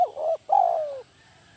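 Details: Spotted dove, a decoy bird, giving the kuk 1 style of cooing: a short low coo followed by a longer, slightly falling coo, with clean quiet surroundings.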